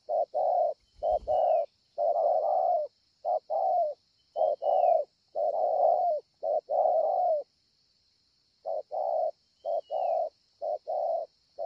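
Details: Spotted dove at Ngọc Hồi, Vietnam, 25 March 2020, repeatedly giving low husky coos in short-long pairs, then pausing about a second before resuming. A brief knock is heard early on, along with faint thin whistles and steady high hiss.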